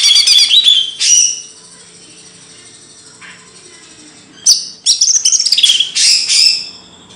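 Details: Birdsong recorded as kicau burung material in Indonesia: loud bursts of high warbling and chirps open and close the passage, with a near-silent stretch in between.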